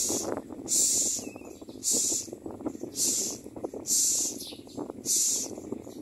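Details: Begging from a Common myna chick as it is fed by a parent, a run of rough hissing rasps at a steady pace of nearly one per second, over a continuous low rumble.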